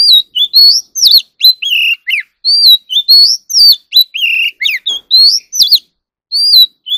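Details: Magpie robin (chòe than) practising competitive song: a sustained sequence of varied whistled slurs, rising swoops and falling notes with sharp clicks, pausing briefly near the end before one last rising whistle.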